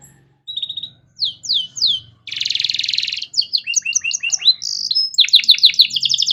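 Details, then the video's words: Canary master song in a luxurious varied style for training young songbirds: a few separate downslurred whistles, then a dense buzzy trill, followed by fast rising notes and rapid high twitters, with faint low hum. "Masteran Kenari Gacor Cengkok Mewah Mudah Masuk untuk Burung Bahan"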